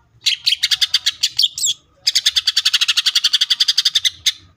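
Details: Green leafbird in 'full tembakan' song, delivering long runs of rapid, evenly repeated sharp high notes, roughly six per second, broken by one short pause and a twisting whistled phrase.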